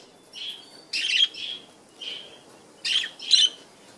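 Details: A male Japanese quail calls for a mate: harsh, raspy, high-pitched bursts mixed with shorter clear notes, in two groups about two seconds apart.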